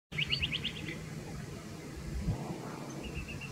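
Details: Australasian pipit, a ground bird of grassy places in Australia, giving a quick run of about eight thin, high chirps, then a fainter trailing series, over steady low rumbling background noise.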